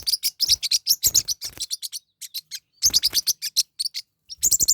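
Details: Pet Forpus parrotlets in a fight, giving bursts of rapid, shrill, scratchy chirps in clustered runs with brief gaps between outbursts.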